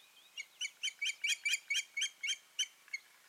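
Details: Osprey pair at the nest in Finland, 14 June 2019, after nesting failed; a run of about eleven loud, piercing whistled chirps repeated roughly twice a second, rising then tailing off.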